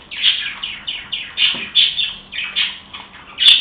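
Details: Several pet budgerigars chirping happily: bright, short chirps and warbles repeated roughly every half second in a steady chatter. A louder squawk comes near the end.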